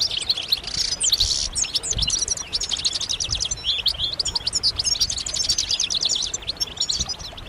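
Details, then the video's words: European goldfinches calling together in mating and readiness calls intended to make a male break his silence and sing. Early harsh buzzy bursts give way to an unbroken run of quick, bright, high twittering notes. "بتبتات جماعية رهيبة للحسون فعالة في تحفيز الحسون على التغريد والهيجان"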